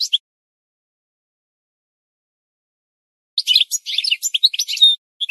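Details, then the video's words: Goldfinch singing in a twelve-hour song recording meant for teaching birds: a brief high twitter, then about three seconds of silence before a fast burst of high chirps, trills and short whistles. "The Best Singing Goldfinch"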